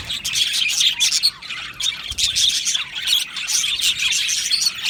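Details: Budgerigars in an aviary colony produce a lively chorus of overlapping high twitters and sharp chirps in quick bursts, rising and falling in loudness every second or so.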